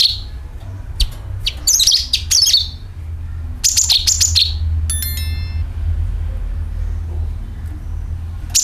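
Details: Sooty-headed bulbul calling with rattling chatter, used as a bird lure: busy, bright chirping bursts with descending slurs early on, a brief pure whistled tone midway, then quieter low rumble.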